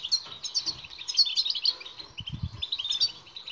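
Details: Goldfinch song for prompting silent birds to sing, continuous rapid high twittering and tinkling chirps, with a short low thumping noise midway.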